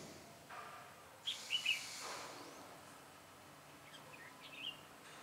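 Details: A red-whiskered bulbul kept as a trapping decoy, recorded 22 September 2017, gives a clear three-note whistled phrase, then a softer answering phrase later, amid rustling and a brief noise burst.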